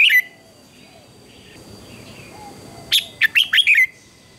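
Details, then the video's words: Red-whiskered bulbul in a morning singing contest: a brief note at the start, then quiet with faint distant chirps, followed by one loud phrase of five fast, rising-and-falling whistled notes near the end. "Chào Mào Hót Đấu Sáng"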